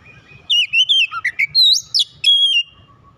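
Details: Oriental magpie-robin singing in a lure recording meant to restart a sulking bird. Varied whistled phrases, some flat and some swooping, include a low dipping note and a bright upward slur, followed by a long level whistle.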